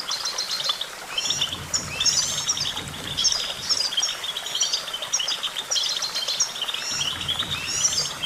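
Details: Goldfinch song made of rapid, liquid twitters and clipped high chirps in quick bursts, with a few upward-sweeping notes mixed in, over a soft, steady background hiss and low hum.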